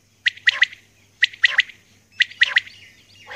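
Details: Female common quail calling at dawn: three evenly spaced phrases of three sharp, ringing notes each, roughly one phrase a second, over a soft steady low hum.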